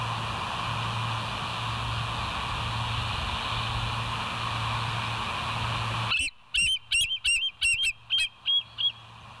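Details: Bald eagle at the West End nest, recorded by a live nest cam on 20 July 2023 at 05:04; six seconds of steady hiss and low hum give way to a quick run of about nine high, thin, chattering piping notes.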